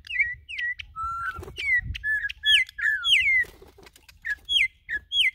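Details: Brazilian Campo troupial, held up as a top singer: sharp downslurred whistled notes, high and clear, delivered in short bursts with brief pauses, plus one lower, longer whistle early on.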